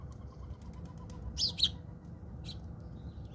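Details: Fighting house sparrows in South Africa give a few brief, sharp chirps, two in a quick pair and one after a short pause, over soft wingbeats and a low background rumble.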